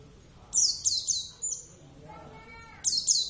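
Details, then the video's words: Javan Oriental white-eye (Zosterops palpebrosus javanus), a caged pet, gives high downward-sliding whistled notes in two bursts, separated by a brief, lower harmonic sound from something else. "plecit gacor"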